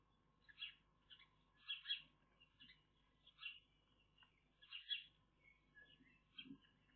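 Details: Eurasian magpie chicks in a nest, recorded by a nest camera, giving harsh, rasping begging calls in short bursts about every second, with a steady faint hum in the background.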